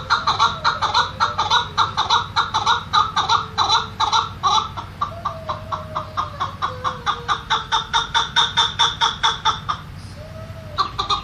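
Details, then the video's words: A Quebec, a cage bird said to live in Iran and Pakistan, gives a fast, steady chatter of harsh, rattling notes, about two a second, with a few soft sliding whistles over a low hum. "SUARA Quebec SANGET CANTIK"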